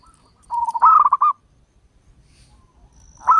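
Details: A local zebra dove with a long voice, used to attract wild zebra doves, gives one short phrase: a steady coo breaking into a quick bubbling trill of notes, then silence before the next phrase begins.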